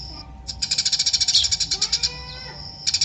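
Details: Eurasian tree sparrow chirping in a fast, regular string of bright high notes for about a second and a half, then a short pause before chirping resumes.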